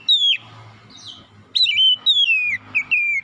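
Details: Oriental magpie-robin in the morning, giving a lively string of clear descending whistles, some long and gliding, others short, in rapid succession after a brief opening note.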